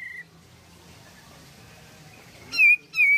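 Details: Pied fantail in vigorous song, a recording meant to prompt other pied fantails to sing: a thin steady whistle at the start, a quiet pause, then two loud downslurred squeaky notes near the end.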